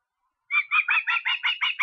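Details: Osprey in Estonia, 23 August: a short burst of seven quick, ringing whistled notes, each with a slight downward slur, in otherwise quiet surroundings.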